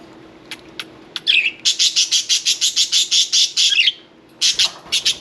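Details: Pet budgerigar during a bath, giving a quick rhythmic series of about fifteen bright, buzzy chirps after a few soft clicks, then a short pause and more chirps with a light splash.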